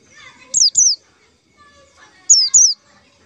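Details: White-eye lure call for trapping: two pairs of loud high notes that slide sharply downward, separated by a pause with faint background chatter.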